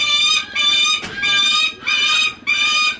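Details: Captive Lanner falcon at Kakegawa Kachoen bird park, calling affectionately after spotting a favourite keeper: harsh, ringing calls in five quick bursts, each about half a second long, with short pauses between.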